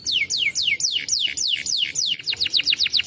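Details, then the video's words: Singing canary meant to stimulate other canaries: loud, ringing descending whistles repeated steadily, about four a second, then quickening into shorter, tighter notes. "Canary singing is great for stimulating the sound of canary material"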